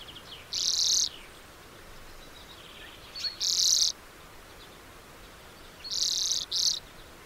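Lesser redpoll giving high, buzzy, rattling bursts, each about half a second long. Four come in irregular pairs and singles over a faint, steady background hiss.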